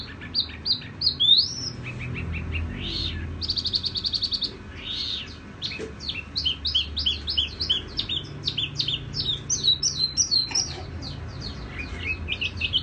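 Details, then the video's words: A tiểu mi songbird sings a long, lively stream of high, sweet whistles and quick twittering trills with hardly a pause, over a faint low hum. "Chim tiểu mi hót tiếng vang dịu"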